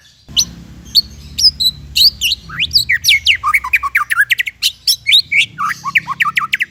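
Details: White-rumped shama singing as a training recording: a few isolated high whistled notes, then a long fast series of sharp downslurred chirps, over a steady low hum.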